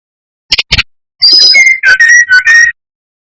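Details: Brown-chested jungle flycatcher lure song for rousing rivals: two quick clicks, then a whistled phrase opening high and dropping into several lower, slightly wavering notes.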